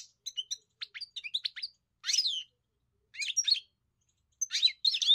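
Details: European goldfinch giving scattered song phrases: quick tinkling chirps, a few harsher buzzy notes, and separate bursts of twitters with pauses between them.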